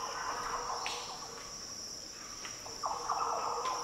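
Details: In Australia's Daintree rainforest, a green oriole gives short, deep, fluty warbled phrases, one near the start and a longer one near the end, with a constant shrill buzz of insects behind.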